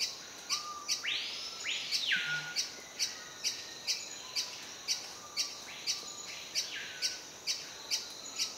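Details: A male great-billed hermit singing at a breeding lek in the rainforest understory at Sadiri Lodge, Madidi Park, Bolivia, repeats a sharp, high note about twice a second. A few arched, down-slurred whistles from another bird come early, over a soft hiss.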